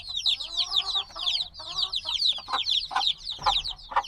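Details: Noisy flock of newly hatched black chicks, a few days old, peeping constantly; rapid overlapping high descending chirps, about two per second, mixed with a brief lower trilled note near the start and soft thumps.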